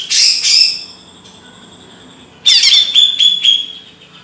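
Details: Kicau burung materi: a bird gives a brief harsh burst, falls quiet, then sings a fast run of high clear whistled notes.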